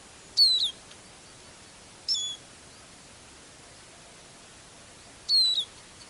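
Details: Eurasian siskin used as a decoy at a songbird trapping hide in thick fog, northerly wind; high, drawn-out, downslurred whistles are repeated three times with long, uneven gaps between them, and nothing else is audible.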